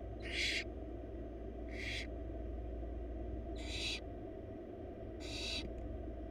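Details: Four wild barn owl young in a research-monitored nest box, being fed a big rabbit by their mother: four rasping, hissy shrieks spaced one to two seconds apart, short and noisy, above constant low-pitched background drone.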